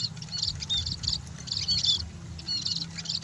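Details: Munia calling: clusters of high, thin squeaky chirps repeated in short bursts about every half second to second, over a low background rumble.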